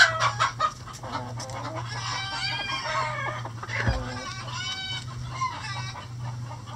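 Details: Backyard rooster crowing while the flock pecks at a hanging head of cabbage in the coop: a drawn-out, harmonic-rich crow in the middle, with quick clucks from other hens and a steady low hum underneath.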